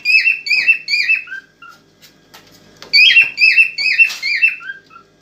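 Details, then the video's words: Cockatiel song to arouse a female for mating: two phrases of loud, downslurred whistles, each of about four to five notes and ending in a lower short note, with faint clicking between. "اجمل واقوى تغريد كوكتيل هائج لنحفيز الانثى على التزاوج"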